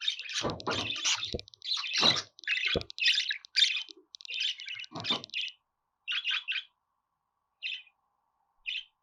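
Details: Dense budgerigar chatter of buzzy chirps mixed with low knocking or scratching sounds, thinning into isolated short chirps toward the end.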